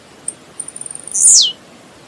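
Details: A single Blue-black grassquit song phrase from nature: scattered sharp high ticks, a thin sustained high tone, then a strong, harsh buzz sweeping downward, lasting about half a second.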